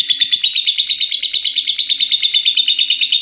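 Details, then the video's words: Pet lovebird in ngekek style, the long chatter said to go on nonstop until morning: shrill, buzzy notes pulsing about three times a second in one unbroken steady stream, with a faint low hum beneath. "Love bird ngekek gak berhenti henti ampe pagi"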